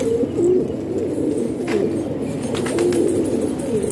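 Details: Pakistani house-kept pigeons give low throaty coos over a constant flock murmur, a few clearer drawn-out coos standing out, with some brief clatter and rustling.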